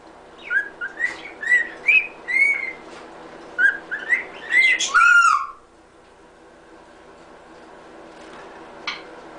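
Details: Pet cockatiel whistles Happy Birthday: about a dozen quick whistled notes, rising and falling, over five seconds, closing on a longer falling whistle, followed by near silence with a faint distant click.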